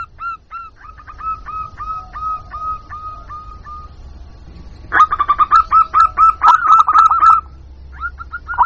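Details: Lure call of a local zebra dove meant to attract wild birds: a soft, evenly spaced string of coos, then a louder burst of fast, rolling, stuttered notes.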